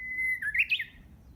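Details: Practising Japanese bush warbler, hidden in green growth behind a house around June: a clear level whistle held for a moment, then a quick rising and falling twisted flourish, over quiet low background noise.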